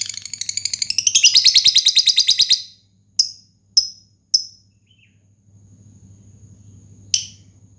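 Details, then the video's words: Fighter lovebird giving a long rapid "ngetik" ticking song meant to call rivals and trigger other lovebirds to sing: a fast burst of high, sharp ticking notes for over two seconds, then scattered single high chips with a low hum beneath. "pancingan lovebird,lovebird fighter,lovebird ngetik panjang pancingan ngekek."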